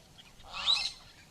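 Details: A brown-headed parrot, one of a few that came to drink at a dam in Kruger National Park, South Africa, in the drier season, gives a single harsh, shrill screech lasting under half a second, heard at moderate distance over a quiet background.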